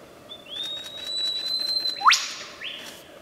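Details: Lyrebird song: a long steady high whistle, then a sharp rising sweep that drops into a bright ringing burst, and a shorter falling tone at the end, over quiet background hiss.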